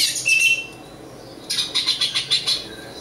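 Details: Oriental magpie-robin, East Java local type, giving a brief whistled note, then a second of quiet, then a fast series of about eight buzzy, scratchy pulses.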